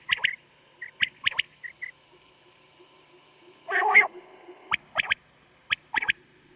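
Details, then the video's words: Quail heard on a night lure tape used for hunting, its voice called very thick: clipped notes in rapid clusters of two or three, with soft shorter notes between and a rough noisy burst near the middle. "Sound of Quails Batair ki boli"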